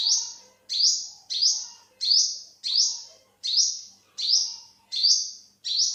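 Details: Olive-backed sunbird, also called yellow-bellied sunbird, recorded in 2021, giving about nine high, upward-sweeping sharp notes in steady repetition, roughly one every 0.7 seconds, over a quiet background.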